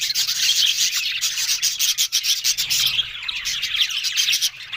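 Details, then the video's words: Talking budgerigars on October 1: a raspy, scratchy mass of high chirps and warbles from several birds, continuous and loud, easing off slightly at the end. "Beautiful Budgerigars Talking"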